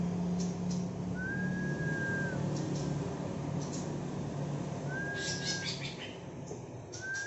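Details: Local Banyuwangi greater green leafbird from Alas Purwo, young and singing 'bebeci' material: long flat whistled notes repeated about every four seconds, with soft chips between, above a continuous low droning background.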